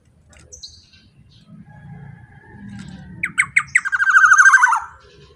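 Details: Loud Black-naped oriole used as a lure: after a faint low murmur, several short rasping notes lead into a long, harsh, buzzy call that wavers and slides downward.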